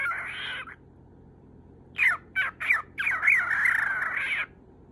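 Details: Pet lutino cockatiel seeking its owner's attention; one drawn-out grating squawk, a second's quiet, then three short rasping calls followed by a longer, wavering, scratchy squawk.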